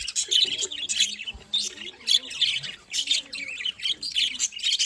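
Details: Budgerigars chirping in a lively flock, dense overlapping chatter of short buzzy and squeaky notes in quick bursts, broken by brief pauses, with a faint low hum beneath.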